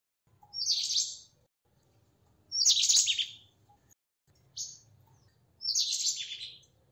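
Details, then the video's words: White-throated kingfisher (white-breasted kingfisher), a tree kingfisher: four high, harsh, chattering bursts, three long ones and one brief note, spaced roughly one to two seconds apart against a faint low hum. "White-throated kingfisher; Kingfisher Bird; White-breasted kingfisher; - Tree Kingfisher"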